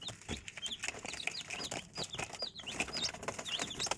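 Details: Several chicks peeping with brief high chirps, many sliding downward, among a dense wash of rustling and scratching noise.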